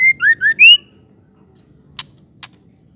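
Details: Female white-rumped shama call, used to provoke male shamas into singing: four clear whistled notes, the first flat and the next rising, in quick succession, then silence broken by two sharp clicks.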